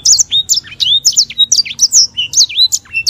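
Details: Lively sanger, the white-rumped seedeater, pours out a clear rolling song: loud, high whistled notes, some falling steeply and some flat, following each other quickly in a bright continuous warble.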